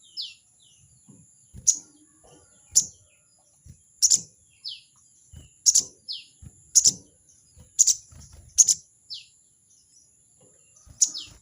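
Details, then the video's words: Crested jay calling a rival with repeated 'crecet' notes: about nine harsh, buzzy bursts roughly a second apart. Another bird adds short, falling whistled notes between them, and a steady high whine runs throughout. "crecet crecet burung sogon memanggil lawan!!burung sogon bikin emosi!!"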